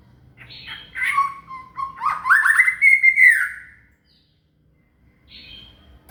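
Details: Shama (murai) singing for a cililin to copy: a rich mix of warbled, slurred and whistled notes rising into a loud rolling phrase, then silence and a faint closing note.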